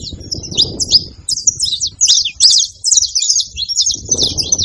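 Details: Saffron finch song from free birds in nature: clusters of piercing, quick chirps and trills in short bursts, some louder accented notes, and low wind-like rumble underneath.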